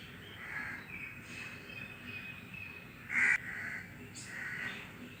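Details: Crows calling in the wind: several harsh, hoarse caws near the end, one louder, set against a steady background hiss of wind.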